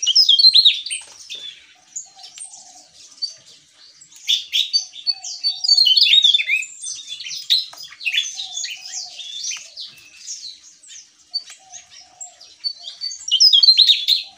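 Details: Javan tesia in full, vigorous song, the style called gacor ngeplong: a fast, unbroken stream of high, squeaky, varied notes, swooping up and down, in loud bursts around 0, 4–7 and 13–14 seconds, with a faint low steady tone behind.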